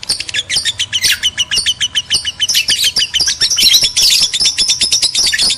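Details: Lovebirds, male and female, giving calls meant to stimulate breeding: a dense, rapid stream of sharp, high chirps and squeaky chatter, several per second, continuing without a break.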